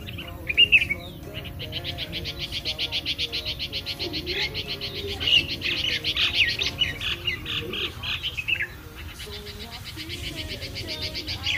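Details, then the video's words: A bulbul singing in the morning: a dense, fast run of high chattering chirps that barely pauses, over a low, wavering hum in the background. "Nightingale Singing In The Morning"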